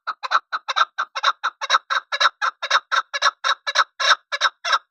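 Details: Desi chakor, the chukar partridge, calling in a continuous series of loud, harsh clucking chuk notes, roughly two per second, evenly spaced and steady throughout.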